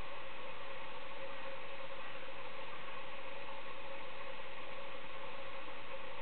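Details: Constant loud hiss and engine-like drone fill the recording, with no animal calls.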